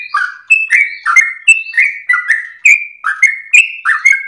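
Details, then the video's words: Long-winded ropel song of a sooty-headed bulbul, kept as tutor and lure material for half-trained birds: fast series of sweet whistled notes, each sliding down then up, loud and continuous without other noises. "trucukan gacor lagu MERDU ropel nafas panjang"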